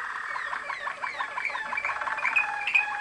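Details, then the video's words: Waterslager (Malinois) canary from champion lines bred in Kumanovo, Macedonia, singing a dense, rolling, bubbling tour with quick gurgled notes and a few bright whistled accents near the end. "Waterslager, Malinois song"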